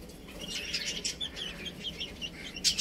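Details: Baby chicks chirping while playing and eating: a busy stream of high, short peeps overlapping one another, ending in a brief louder burst of scratchy noise.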